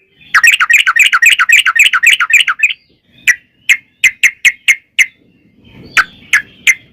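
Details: Sooty-headed bulbul delivering vigorous extended song as a lure for other bulbuls. A dense rattling run of chirps opens, then comes a pause, then spaced sharp single notes roughly every quarter second, with faint background rustle near the end.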